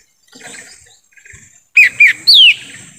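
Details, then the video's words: Lesser green leafbird in a forest, recorded to attract wild birds: soft faint chirps, then three loud whistles, two short dipping notes followed by a longer falling one. "suara asli pikat cucak ijo mini di hutan"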